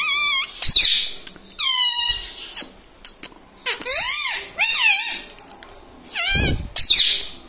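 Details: Talking pet parrot, said to repeat mummy, papa and radhe radhe, produces a rapid string of loud, squeaky, rising-and-falling harmonic vocalisations, some dipping low and nasal, with brief pauses between bursts indoors.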